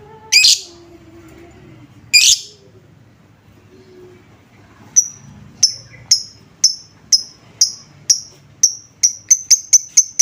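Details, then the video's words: Lovebird lure recording meant to make other lovebirds respond: two harsh screechy bursts, then a run of thin, high ticking notes that speeds up steadily toward the end. "Apapun jenis Lovebird mu, pasti langsung nyaut seketika dengar suara pancingan ini"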